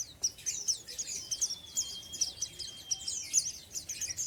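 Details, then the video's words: Oriental white-eye, untrained, in ngeriwik style: rapid, evenly pulsing high chirps, about four per second, over a faint sustained thin tone in the middle of the passage. "BURUNG PLECI BAHAN NGERIWIK"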